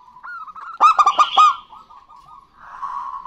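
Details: Local zebra doves, a male and a female, singing and answering each other, used as a lure. One loud burst of five quick, clipped, resonant cooing notes, followed by softer, lower trailing coos.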